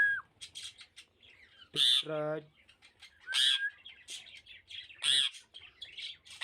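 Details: Indian ringneck parakeet calling at home: bursts of harsh, buzzy screeches, a descending nasal rattle, and a short rising whistle, with chattering in between.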